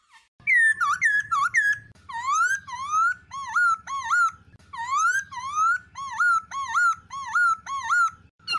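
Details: Black-throated laughingthrush, female 'ro ro' call paired with a male, heard as loud, repeated, rising whistled slurs delivered in quick bursts of three or four over a low steady hum.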